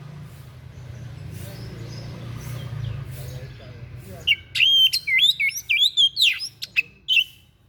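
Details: White-breasted bird giving a strange song meant for training other birds: after a low murmur of background noise, a quick burst of looping high whistles mixed with sharp ticking notes.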